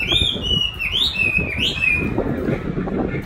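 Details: Chinese hwamei in song training with its own recorded voice: long clear whistled notes that rise and dip in smooth loops, over low rumbling background noise.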